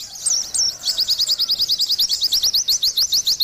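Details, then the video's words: Two upward-slurred whistles from an Oriental white-eye, then a brisk, regular string of high, clipped chirps pouring out in quick succession; gacor-style singing. "TERAPI BURUNG PLECI"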